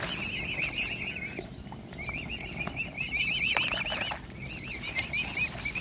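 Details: Hand-fed, hungry mute swan cygnets with their family; persistent high wavering peeps in bursts separated by brief pauses, mixed with soft clicks and rustling noises.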